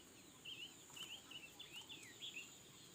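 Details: Red-billed leiothrix, said to sing all day long: a soft, continuous string of short, twisting whistled notes, rapid and varied, over a constant high-pitched hiss and faint ambient noise.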